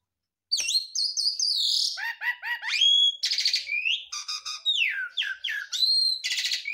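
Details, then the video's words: A Javan pied starling sings a full, clear song without pause: a fast, varied stream of bright whistles, buzzy chatters and rising notes, weaving in phrases borrowed from other birds. "JALAK SUREN GARUDA MOMPA, isian full"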